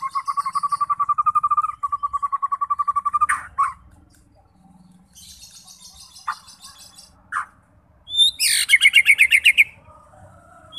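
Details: White-rumped shama song used to provoke fighting birds into singing: a long run of steady repeated whistled notes near one pitch, then scattered harsh bursts and a rapid descending trill of buzzy notes.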